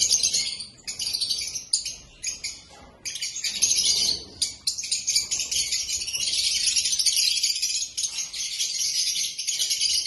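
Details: Black-masked lovebirds in shrill, busy chattering, first in broken bursts with short gaps, then a steady unbroken stream of high twitters.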